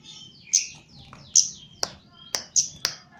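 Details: Trained captive Javan chestnut-capped thrush producing a rapid run of high, sharp chirps and downward-sweeping whistles, interspersed with dry snapping clicks, roughly one note per second.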